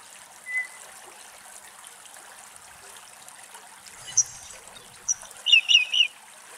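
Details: Whinchat (Saxicola rubetra) in Greece gives a thin whistle, then a quick run of three or four sharp, high ticking notes near the end, over steady trickling water.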